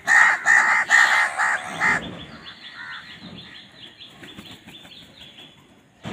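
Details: Crows in a food fight utter a rapid run of five harsh, nasal caws within two seconds, then quieter distant calls and light background chatter.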